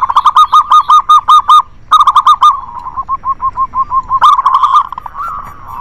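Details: Local zebra doves in a busy lure recording meant to prompt reluctant doves to sing: rapid runs of short, clipped cooing notes repeated several times a second, with a brief pause, then a slower, softer series and overlapping voices.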